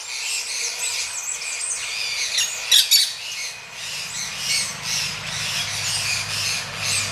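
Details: Mating Gray-breasted Parakeets produce rough, high squawks in overlapping bursts, with a sharp louder outburst near the three-second mark, a constant thin whine and a low hum in the background.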